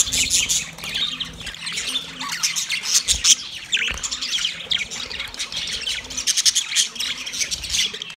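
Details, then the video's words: Budgerigars calling another budgie in a thick chorus of shrill chirps, chattering warbles and harsh squawks, with a few louder bursts near the third and sixth seconds. "Budgie sound when call other Budgie"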